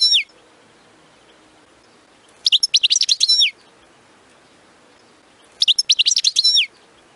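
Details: European goldfinch giving bitbita-style song meant to stir goldfinches into nonstop singing; short one-second bursts of fast, bright, twittering notes come roughly every three seconds over a faint background hiss.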